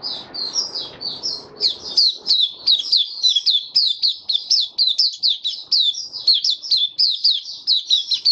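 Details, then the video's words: Kept white-eye in open song, 23 March 2022, diet adjusted for warm humid weather: after a soft rustle, a long regular series of high slurred chirps, roughly three to four per second. "Mata Puteh Kitaro Video 1 buka sing"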